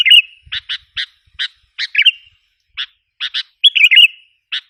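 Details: Lure calling of a Sooty-headed bulbul, meant to stir wild bulbuls into agitation. Crisp separate chirps, often in pairs, are interrupted by two rolling warbled phrases, with faint low tapping early on.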